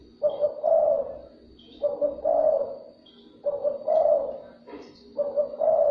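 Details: Cooing of a spotted dove, played to excite and attract other doves: four soft, throaty phrases, each a brief opening note then a drawn-out burry coo, repeating roughly every one and a half seconds.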